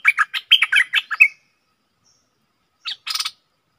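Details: Caged stripe-throated bulbul, June 2021: a lively string of about eight bubbly, warbling notes, then a quiet gap and a single coarse, buzzy rattle near the end.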